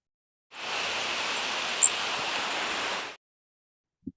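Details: Blackpoll Warbler flight call: one very high, thin, brief, harsh, grating note, lower than Blackburnian Warbler's sweeter call, over a steady rushing hiss; a soft click follows.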